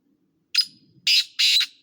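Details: Black francolin calling: a short harsh note followed by two longer, grating, buzzy notes in quick succession, loud and clear against a quiet background.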